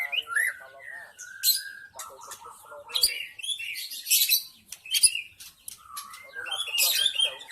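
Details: Wild white-rumped shama from the forest, a lure recording to draw in other shamas: mellow whistled notes alternate with bursts of harsh, scratchy chatter and sharp clicks.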